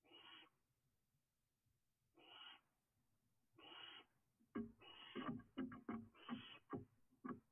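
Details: Young barn owl of a third brood eating a rat: three drawn-out breathy hisses a couple of seconds apart, followed by a flurry of clattering knocks and scrapes mixed with further hisses as it moves and tries to fly.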